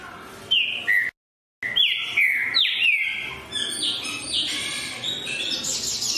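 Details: Green-winged saltator: loud downslurred whistled phrases repeated rapidly, with a brief break of silence early on, then busier overlapping higher notes toward the end.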